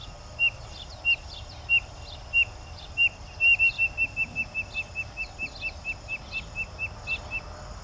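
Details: Spotted Nothura in Minas Gerais, Brazil, giving high, thin whistled peeps, first spaced slowly, then speeding into a quick run of about a dozen notes; faint chirps in the background.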